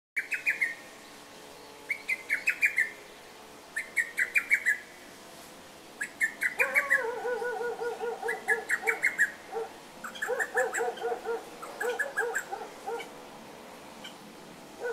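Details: Lesser cuckoo recorded 28 May 2018 giving loud bursts of quick, sharp notes about every two seconds; lower, rounded notes from a second voice join partway through.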